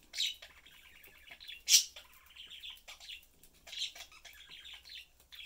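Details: Budgerigar family kept as pets, father, mother and young, chatting and eating; continuous twittering chatter with rippling buzzy warbles and several loud sharp chirps.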